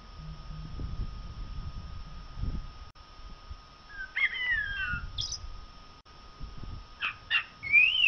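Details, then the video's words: ['Blackbird singing at a distance, with a few scattered fluted whistles and short high squeaks in the second half. Low rumbling background noise is also heard.'] "song of the blackbird canto del merlo"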